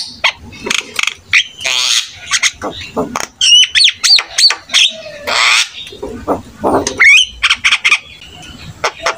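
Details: Richly varied singing from a Javan myna (jalak kebo). Chattering squawks, quick zigzag whistles and harsh rasps follow one another in a lively, uneven stream.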